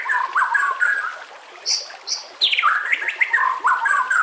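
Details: Whistled phrasing of a white-rumped shama in a training recording for caged birds, backed by nature sounds and trickling water: mellow mid-pitched warbles, a few higher piping notes, and a steeply falling slur.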